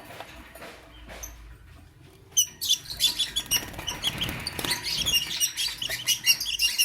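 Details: Lovebirds, lutino and blue opaline, in the morning; after two quiet seconds a dense burst of shrill, high chirps and squeaks breaks out, rapid and irregular, continuing to the end over a faint low hum.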